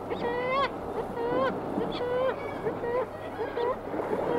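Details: One kittiwake giving varied calls near the microphone, other kittiwakes answering further away at sea; short nasal wailing notes with rising and bent harmonics, about one per second, over constant low surf noise.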